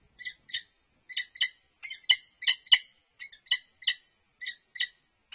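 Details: UC Berkeley's resident wild Peregrine falcon pair in courtship display, California, March 21, 2022, from a livestream. Separate harsh two-toned squawking notes are spaced roughly every third of a second, sometimes in pairs, with clean silence between them.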